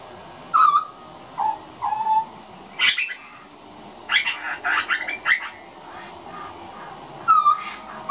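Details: Juvenile grey butcherbird practising its song: short, clear whistled notes held fairly level, mixed with harsh, scratchy bursts that bunch together in the middle, followed by a final whistle.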